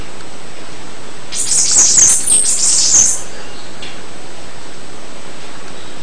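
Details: One Bananaquit song phrase: a shrill, rapid, wheezy chatter of tiny high notes running for about two seconds before fading into faint hiss.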